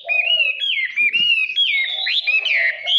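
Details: Wild-voice song of a Chinese hwamei, played to train and excite birds for singing contests: a continuous run of clear, loud whistled phrases, sliding and warbling, with low mellow notes interleaved beneath the higher melody.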